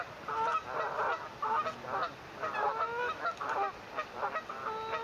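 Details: First day of baby swans, 9 May 2024, phone recording: steady stream of short nasal honks and harmonic calls, about ten bursts spaced fairly evenly over a few seconds.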